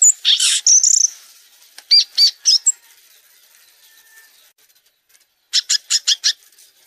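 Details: Violaceous euphonia (gaturamo-verdadeiro) song: a harsh buzzy burst and a bright whistled note, then a few quick chips, a pause, and a closing run of five rapid clipped notes.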